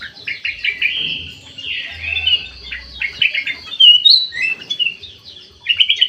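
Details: Golden, white-eyed bulbul singing eagerly inside an aviary: scratchy, buzzy phrases broken by a few clear whistled notes, delivered in uneven bursts with a faint hum underneath.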